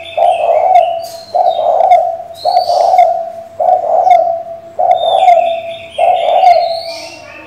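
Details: Female spotted dove calling to the male to stir a decoy bird: six low, husky coo phrases, each about a second long, repeating roughly every 1.2 seconds, with faint high whistles of other birds above.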